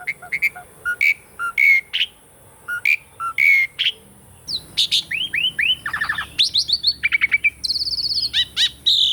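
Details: Asian pied starling song, recorded live, used to stimulate birds that have stopped singing: short repeated chirps and slurred whistles, then rising whistled notes, buzzy trills and high chattering phrases in quick succession.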